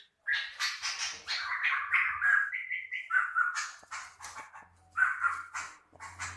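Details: Medan white-rumped shama, rough master song for tutoring other songbirds: rapid, scratchy and whistled notes in quick succession, with a few clear sliding whistles mid-phrase and a faint low electrical hum.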